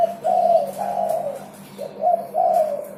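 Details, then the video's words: Spotted dove singing prolifically, a recording used as a lure to get other birds singing: two mellow cooing phrases, each a short note then a longer falling coo, with a steady low hum behind. "SUARA DERKUKU GACOR"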